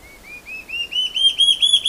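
A large-tailed antshrike gives a quickening series of about ten clear, upslurred whistles that climb steadily in pitch and grow louder, with no other sounds.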